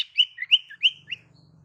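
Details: Female sirtu giving its male-attracting call: five or six bright, slurred whistled notes that rise and fall, spaced about a third of a second apart, with a faint low hum underneath.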